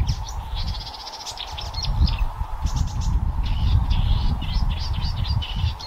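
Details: Blyth's reed warbler song recorded 26 May 2024 at Haga kile: short, high phrases of repeated notes, fairly faint over a heavy low rumble and a steady mid-pitched hum.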